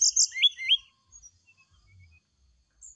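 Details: Brown-chested jungle flycatcher singing in the morning to prompt a response: a short high buzzy note followed by two quick upward-twisting whistles, then near silence with faint distant chirps.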